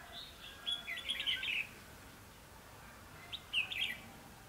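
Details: Red-whiskered bulbul heard while trapping on 21 December 2015: a lively burst of chattering, warbled notes for about a second, then a pause and a shorter matching phrase near the end.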